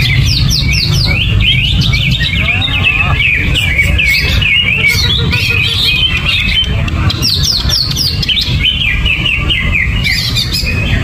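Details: Caged greater green leafbird in gerabakan style, uncovered and kept without banana, pouring out rapid high chirps and sweeping whistled notes in dense bursts over a steady low rumble.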